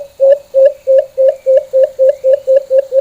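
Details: Full, normal call of the white-eared brown dove, known locally as alimokon: steady, low, hollow hoots repeated about three times a second, each swelling then cut short, eleven notes in all.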